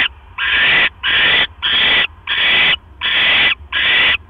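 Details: Barn owl at the nest on 12 October 2015 at 1:09 AM as the male delivers another mouse; six harsh, breathy screeches of about half a second each, repeated steadily with short gaps.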